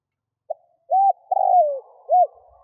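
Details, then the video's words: Kept decoy spotted dove cooing to lure wild doves: a soft short note, a clipped arched coo, then a long drawn coo sliding downward, closed by another arched coo; low, mellow and clear against silence. "Chim cu gáy kích bổi nhanh nổi"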